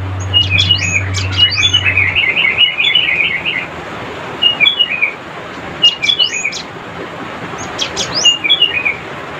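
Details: Cinereous tit in full chattering song, calling rivals: bursts of sharp, bright whistled notes with quick high chips, the first run rapid and rolling, then short two- and three-note phrases every couple of seconds; low engine-like hum at the start.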